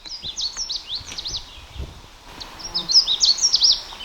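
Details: A breeding Canada Warbler in dense, brushy habitat at Sax-Zim Bog, northern Minnesota, on 21 June 2023. It gives two quick, sweet, jumbled bursts of high twittering notes, each about a second long, over a faint background hiss.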